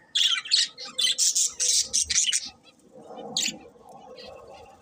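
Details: Budgerigars producing a quick series of loud, scratchy chirps for about two seconds, then a single chirp over a quieter, low background hum.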